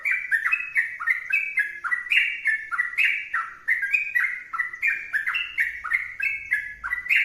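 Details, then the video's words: Continuous, vigorous song of a sooty-headed bulbul: quick, chirpy whistled notes strung tightly together in a bouncing up-and-down pattern that never pauses, over a quiet low rumble late in the recording. "trucukan gacor berdurasi"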